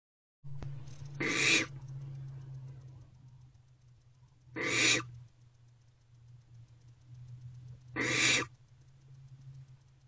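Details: Barn owlets snuggling in a nest box at night, 1:28 to 3:20 am on 3/2/24; three rasping hisses spaced about three seconds apart over a steady low hum.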